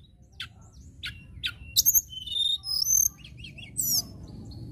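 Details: Local common tailorbird song: three clipped chips about half a second apart, then a quick run of high whistles, trills and twittering notes, over a faint low rumble.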